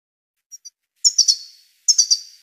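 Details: Song of a Tunisian European goldfinch: two faint high chirps, then two loud buzzy, scratchy phrases of three quick pulses, each trailing off.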